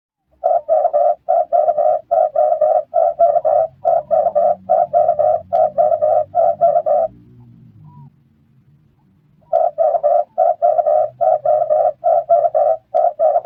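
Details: Red turtle dove calling, a high sound repeated for friendliness within the flock: long series of short, buzzy coo notes at a steady mid pitch in quick regular groups, then a brief quiet gap with low background hum before the notes resume.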